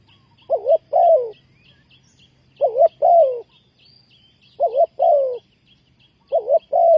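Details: Decoy spotted dove used to trap wild doves repeats its coo every two seconds or so: a wavering double hoot followed by a longer, falling coo, four times. Faint rapid high chirping from another bird runs behind.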